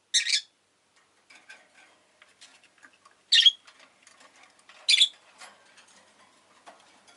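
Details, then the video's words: Rosy-faced lovebird uttering three sharp, shrill chirps spaced about one and a half seconds apart, with faint rustling and clicking between them. "Lovebird Chirping Sounds"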